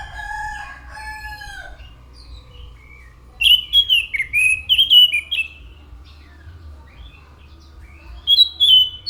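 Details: Anis macan thrush song: a lower, softer whistle opens, then a fast run of high, slurred whistled notes, a pause, and a short closing burst.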